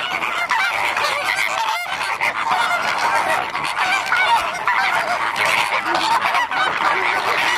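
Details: A flock of flamingos calling together: a constant wall of nasal honks and gabbling calls from many birds at once, with no pauses or other clear sounds.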